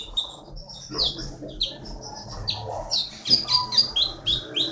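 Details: Olive-backed sunbird, a contest champion originally from the Bangka forest, delivers a busy string of high chirps and sweeping whistled notes that grows louder toward the end, over faint background noise.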